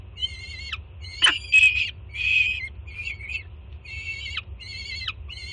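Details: Young peregrine falcon in Jersey City greeting its first-time mother as she brings food, June morning; rasping harmonic screams with downward-bent endings, a few broken squawky notes midway, steady low hum beneath.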